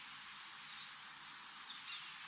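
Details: A Broad-winged Hawk perched in a tree in Desbarats, Ontario, about 40 metres away, gives a short note, then a thin, high, level whistle of about one second, with a steady insect-like hiss in the background.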